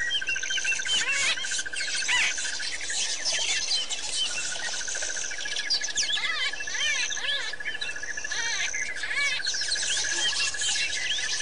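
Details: Several white-fronted bee-eaters calling together at Pete's Pond in Botswana, dated 10/9/07. A busy chorus of squeaky, slurred chirps overlaps a rapid pulsing insect trill and a thin, high, sustained insect buzz.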